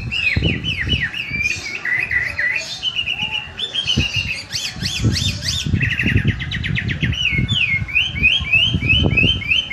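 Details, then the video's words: Freshly bathed Chinese hwamei singing energetically at competition standard, rattling off varied whistled phrases, each note type repeated in quick runs, over frequent low thumping and knocking sounds. "Hwamei Gacor Kualitas Lomba Selesai Mandi"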